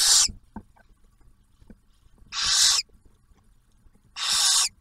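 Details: Nest-box barn owls near Oak Harbor, Ohio, at Ottawa National Wildlife Refuge during the first owlet's first meal, with the male bringing food; three loud, rasping hiss-screeches about half a second long, separated by quiet gaps with faint rustling.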